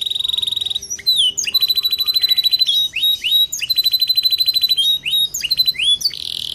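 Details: Canary song meant to encourage other canaries to sing: rapid rolling trills on a steady high pitch broken by downward-swooping whistled notes, repeated several times.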